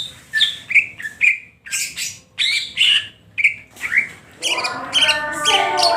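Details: Greater green leafbird singing ngentrok style, crest lifted and tail open: separate loud chirps and upward-sliding whistles about twice a second, then a dense twittering, buzzy passage in the final seconds.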